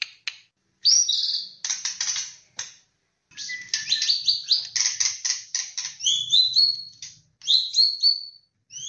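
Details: White-rumped shama, black-tailed Nias, Medan, Aceh, Bahorok and Borneo types, delivering a long rich song of rapid high chattering notes mixed with clear rising whistles, nearly continuous with brief pauses.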